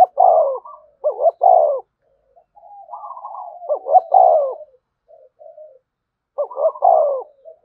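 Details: 'Gù thúc' cooing of a spotted dove, meant to provoke a freshly caught dove: clipped double notes rolling into drawn-out, slightly falling hollow coos, separated by short quiet gaps and faint murmured notes.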